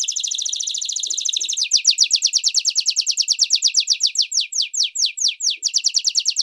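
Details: Canary long song meant to teach young and adult canaries: a fast dense buzzy trill switches to a slower run of repeated descending whistled sweeps.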